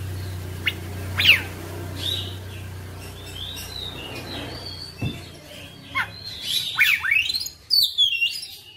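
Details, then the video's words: Oriental magpie-robin singing more quietly, scattered whistled slurs and buzzy notes, the phrases growing louder toward the end over a steady low hum. "KACER NGOTOT GACOR FULL BONGKAR MATERI"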